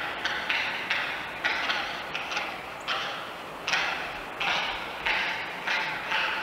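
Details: An oilbird gives echolocation clicks in a resonant space: sharp, dry clacks in irregular bursts, roughly one to two per second, each ringing with a hollow cave echo.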